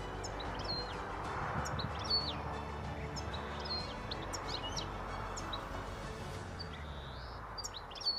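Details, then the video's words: European goldfinch (jilguero, colorín) singing: a steady stream of high, quick twittering chirps and short trilled notes runs through the whole stretch over a constant low background rumble, with no pauses longer than a moment. "Jilguero, Colorín!!!! maravilloso."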